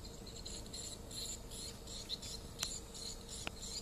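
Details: Short burst of swiftlet distress calling: high, rasping chitters in quick pulses, broken by two sharp clicks.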